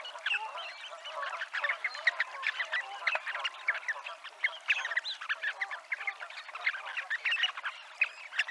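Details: At the seafront in Abruñeiras, Noia, a Dunlin flock produces dense, rhythmic chatter of brisk clicking and buzzing notes, with slightly lower, harsher calls mixed in.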